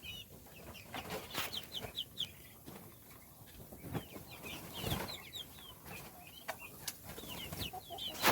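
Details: Little chicks chirping while being fed: many short, high descending peeps in a busy overlapping chorus, mixed with sharp knocks and pecking clicks against a hissy background.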